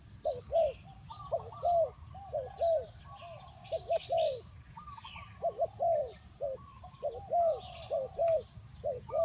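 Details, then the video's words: Spotted dove cooing, tied to bird-luring and trapping: low, soft coo notes in quick bunched groups, repeated steadily throughout, with higher chirps and tweets of other birds scattered above and a rural outdoor background. "The Sound of Spotted dove"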